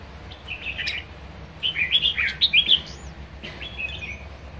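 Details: Red-whiskered bulbul kept as a pet, singing in the energetic 'ché' style: a run of rapid, chattering whistled notes in the middle, fainter phrases before and after, over a steady background hiss.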